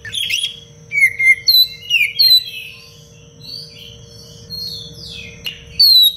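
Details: Oriental magpie-robin singing tight, lively phrases for training other birds: a string of clear whistled notes with downward slurs, then softer warbling and a final loud whistle, over a steady low hum.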